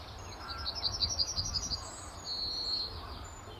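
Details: Early morning at RSPB Fowlmere in late March 2015, a male yellowhammer in a tree by the car park entrance gives a fast series of high repeated notes ending in a sustained thin note, faint other birds behind.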